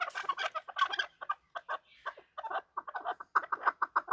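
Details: Chukar partridges calling as they fight: quick clucking notes in short uneven groups, loud and harsh, with a brief pause midway.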